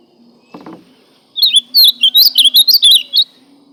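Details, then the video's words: A brief soft rustle, then an ultramarine grosbeak sings a loud two-second phrase of quick, chirpy whistles that bend in pitch, repeated in rapid succession. "Azualão cantando"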